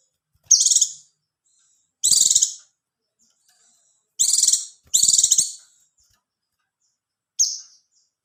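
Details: Oriental white-eye (pleci) singing, a recording used to stir mating readiness and prompt reluctant birds to answer: five short, high, rapid twittering bursts, each about half a second, separated by brief silences.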